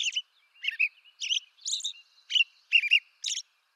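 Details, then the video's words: Robin song recorded in eastern North America, seven quick whistled and chirruping phrases in under four seconds, some carrying thin high overtones, rising and falling in pitch. "American Robin Bird Song Video Bird Songs Eastern North America-American Robin Sounds"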